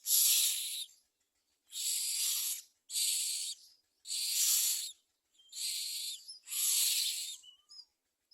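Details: Common myna bringing worms and crickets to feed its chicks: harsh, breathy hissing bursts about one second long, six in eight seconds with short silent gaps between them.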